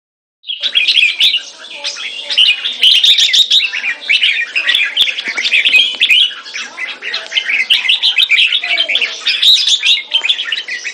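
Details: Caged red-whiskered bulbul kept as a competition bird, displaying while singing a long, dense stream of bright chirping, warbled and whistled phrases with quick sharp notes, continuous for about ten seconds.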